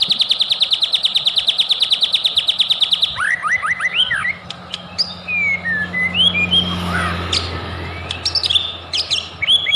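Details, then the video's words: Lure song of a white-rumped shama meant to make other birds sing: a rapid, even trill of about forty high pulses, then varied rising whistled notes and sweeping slurs over a faint low hum. "OTOMATIS IKUT NaRUNG DAN EMOSI,DENGERIN KICAUAN INI,PANCINGAN MURAI BATU,SUPER GACOR"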